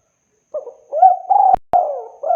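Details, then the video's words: Spotted dove cooing for bird luring: a low mellow phrase of soft hoots and sustained coos, broken by two sharp clicks midway, with the next phrase beginning as it ends. "SUARA BURUNG TEKUKUR BERSIH JERNIH COCOK UNTUK PIKAT"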